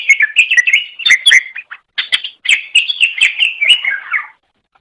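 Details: Greater green leafbird (cucak ijo) in a masteran recording for tutoring pet birds: a continuous, lively stream of twittering, buzzy and whistled notes, high pitched and fast, ending abruptly, on a silent background.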